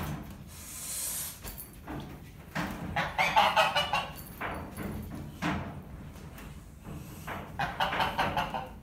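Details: Geese in a barn showing displeasure at a ferret pen, biting at the mesh; repeated coarse, nasal honks in short bursts throughout, with background knocking and rustle.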